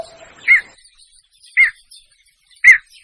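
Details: Javan pond heron (Ardeola speciosa) call used as a lure: three short, hoarse squawks, evenly spaced about a second apart, over a faint background hiss.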